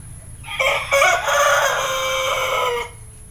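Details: Six-month-old Pelung rooster, a young bird that began crowing only a few days earlier, heard in the morning: one drawn-out harmonic crow of about two seconds, a broken, rough start settling into a long steady note, over faint background hum.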